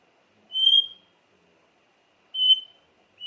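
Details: White-rumped shama, presented as a lure to provoke emotion in other shamas: two clear, pure whistled notes at a steady high pitch, about two seconds apart, over silence.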